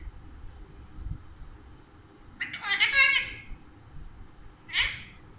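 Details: Two talkative pet Alexandrine parakeets, said to speak Urdu and Hindi, indoors. A long grating squawk of almost a second is followed two seconds later by a shorter harsh call, over faint low room noise.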